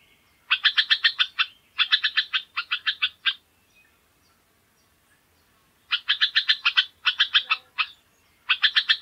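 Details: Jamaican Oriole: bursts of rapid, harsh, chattering notes, each run of about six to eight notes lasting roughly a second, repeated in two groups separated by a few seconds of silence.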